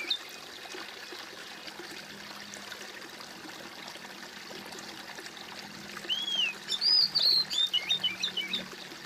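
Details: Steady running water fills the first six seconds, then a songbird, apparently a magpie-robin (kacer), gives a burst of clear, varied whistled phrases, rising and falling, high-pitched and quick.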